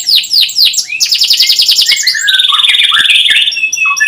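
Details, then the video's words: Domestic canary singing a long chirping song used as a lure to teach young canaries to sing: rapid descending whistled notes, then fast buzzy trills repeated at high pitch, ending in short sweeping phrases. "Kenari gacor panjang cuit cuit,pancingan kenari paud AGAR Bunyi,terapi ampuh kenari macet"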